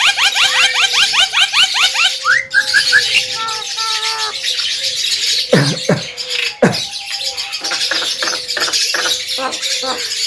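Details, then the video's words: Male Javan myna reported to speak like a parrot, opening with a quick string of rising chirps, then long steady whistled tones, sharp broadband cracks, and choppy scratchy notes. "JALAK KEBO BISA BICARA"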